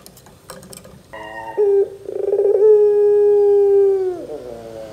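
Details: ['Barbary dove lure sound meant to get young doves calling: after faint background noise, a short rolling burst leads into a sustained, even coo that slides downward as it fades.']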